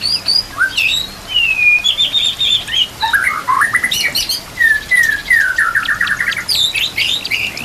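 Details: White-rumped shama training song packed with mimicked phrases, with nature sounds and trickling water: long slurred whistles, a scratchy high burst, then a descending series of quick whistled notes in a steady run.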